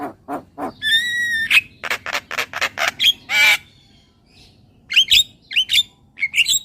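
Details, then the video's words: ['Javan myna, a recording meant to encourage caged birds to sing: a harsh chatter, a long clear whistle, grating squawks, and then rising squeaky notes after a short pause.'] "Suara Jalak Kebo Terapi Biar Semakin GACOR"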